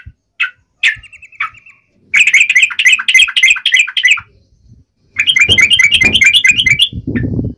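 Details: Yellow-vented bulbul singing a combative uplik ropel song to draw responses: a few scattered single notes, then two dense bursts of fast chattering chips, with low thumping noise near the end.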